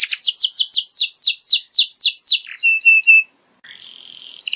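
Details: Canary tutor song meant to teach juvenile canaries to open up their song fills quickly: a rapid series of bright downward-sweeping notes, then short steady whistles, a brief pause and a soft buzzy phrase.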